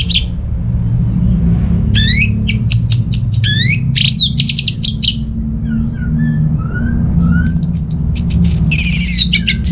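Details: Orange-headed thrush song meant to draw quiet birds at home into song: rising sweeping whistles and quick high notes in clusters, softer low slurs mid-way, steady low background hum.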